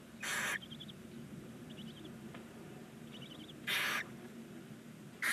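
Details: Barn owl nestlings, nine chicks aged nineteen days in a nest box on a chimney in Ságvár, Hungary, alternate long harsh begging hisses with short high trilled twittering between them.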